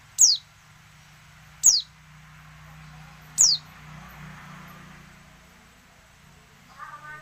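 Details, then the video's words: A female oriental white-eye gives calls meant to make silent males answer and sing: three quick high falling whistles in the first four seconds, then a faint lower chirp near the end. "pleci betina untuk merangsang bunyi pleci bisu"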